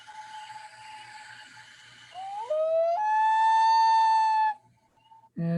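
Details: Common Loon, sometimes heard on Long Island Sound in spring before heading north, gives a plaintive, haunting wail: a clear tone that steps upward, then holds about a second and a half before a brief low noise.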